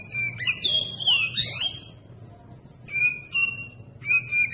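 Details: Oriental magpie-robin song used as a lure to provoke other magpie-robins to sing: bright, varied whistled phrases with sweeping slurs and sharp high notes, delivered in bursts with short pauses.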